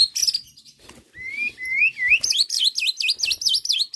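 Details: White-rumped shama provoked by bait song: a thin rising whistle, then a rapid series of high, bouncing V-shaped whistled notes.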